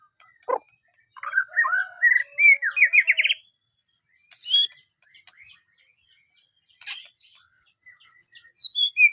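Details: White-rumped shama song in separated phrases: a sharp note, then a run of rising whistles ending in quick upward-sweeping notes. After pauses come scattered chips and a closing rapid series of descending high notes.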